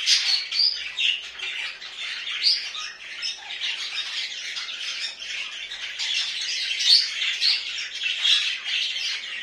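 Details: Household budgies keep up a long run of harsh, buzzy warbling mixed with thin whistles and clicks, steady in loudness with small peaks of sharper squawks.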